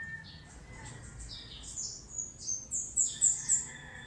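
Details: Lowland white-eye, near Philippine endemic of lowland scrub and gardens, recorded at Bued River, Northern Philippines, in December; bright high chirps build into a rapid, rhythmic series of sharp squeaky notes, roughly four per second.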